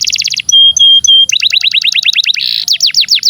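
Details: Long canary song for tutoring young birds and stimulating canaries that stopped singing: bright high notes, sustained whistles, then fast repeated down-slurred chips and rapid rattling trills.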